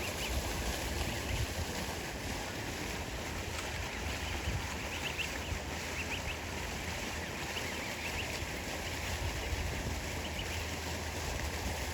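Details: Steady wind rumble and water noise with a low engine-like hum, and no animal calls heard.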